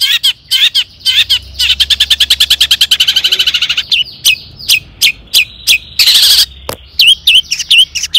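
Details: Long-tailed shrike singing to provoke rival shrikes: a few sharp notes lead into a fast, even trill of clipped high notes, then scattered loud hooked whistles and a brief harsh burst.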